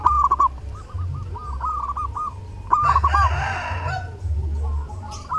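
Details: Zebra dove in lively song during Lebaran, intended for training other birds: a chain of short, bouncing coo phrases, then a louder stuttered phrase, with a burst of rough noise and a low rumbling background.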